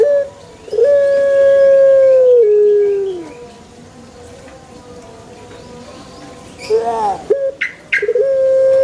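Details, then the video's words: A long crow from a Pelung chicken: a steady, sustained tone lasting about two seconds, then a lower falling section. Wavering notes and a few sharp clicks follow before another crow starts. "THE BES ORIGINAL SOUND // puter pelung Andalan"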